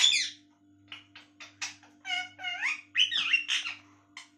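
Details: Pet talking parrot, trained at home, that says 'mummy' all day: a series of short squawky, speech-like syllables and harsh chirps over about four seconds, with a low steady hum beneath.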